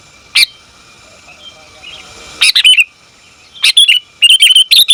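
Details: Sooty-headed bulbul female calling the male: a lone sharp chip, a pause, then clusters of quick bright chattering notes that grow busier toward the end.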